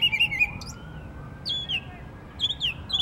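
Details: A Northern mockingbird sings varied bright phrases in Savannah, Georgia, on 12 October 2024: a quick run of repeated chirps, then sharp down-slurred notes repeated twice, with a faint siren-like tone behind.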